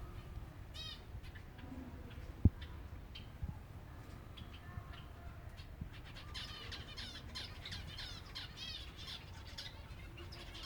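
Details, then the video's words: Silver Java sparrows feeding, starting with scattered chirps, a sharp knock, then building to dense rippling chatter from many birds in the second half over low background noise. "finches feeding time (silver java birds)"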